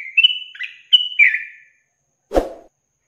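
A yellow-vented bulbul gives two quick bubbling phrases of clear, liquid whistles over about a second and a half. A single dull knock follows after a pause.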